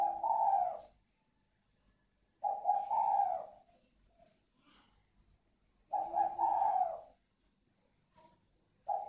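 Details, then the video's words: Spotted dove pair from northern Vietnam, còi vang and thổ xịn styles, at a Ba Vì bird farm. Low, throaty coo phrases around one second long, repeated about every three seconds in a quiet setting. "Thưởng Thức cặp đoi chim cu gáy CÒI VANG _ THỔ XỊN (cu gáy miền bắc)"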